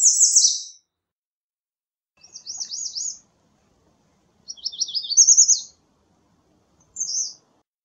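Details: American redstart delivering several song variations in quick succession, each a short burst of high, rapidly repeated slurred notes, some rising and some falling, separated by pauses of one to two seconds.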